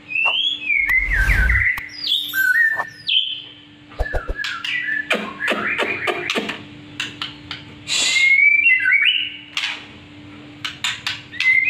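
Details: Black-winged myna practising song with a busy, varied medley of harsh rasps, clicks, quick slurred whistles and chattering notes in fast succession, plus a low thump early on and steady hum.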